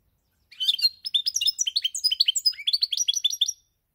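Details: European goldfinch recorded 10 November 2019 singing a quick, high twittering phrase of bright chirps and short trills, about three seconds long, with no other sounds.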